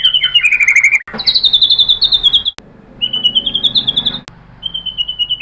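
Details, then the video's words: Rapid high whistled song of a white-rumped shama provoked by a lure recording, with fast trilled phrases and repeated clear notes broken by short pauses. "pancingan MURAI BATU agar bongkar materi TEMBAKAN"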